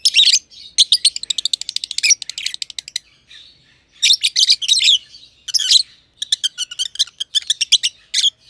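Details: Two lovebirds, green personata and pied personata, chirping in their aviary: long trains of fast, regular high chirps broken by louder scratchy bursts, continuing steadily.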